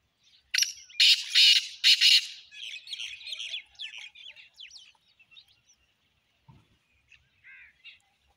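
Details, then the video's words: Black francolin, 29 January 2024: a short opening note, then three loud, raspy, screechy notes close together, followed by softer chirping and short whistles from other birds and a single low thud. "voice titar sultan"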